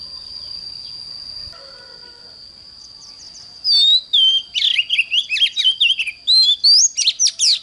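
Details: Oriental magpie-robin in the morning, a training bird: quiet background at first, then a burst of loud, varied whistles, rising and falling slurs and rapid chatter, over a constant high-pitched tone.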